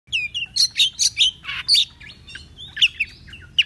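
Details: Oriental magpie-robin singing in the morning, agitated and excited, spreading its tail. The song is a lively mix of clear high whistles and chattering notes, broken by one harsh rasping burst in the middle.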